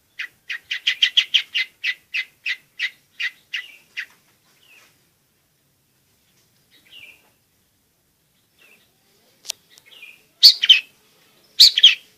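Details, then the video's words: Long-tailed shrike song used to lure silent shrikes into singing and to teach young birds: a rapid run of sharp, repeated chips over four seconds, then scattered soft notes and a few loud rasping phrases near the end. "BURUNG CENDET/PENTET GACOR"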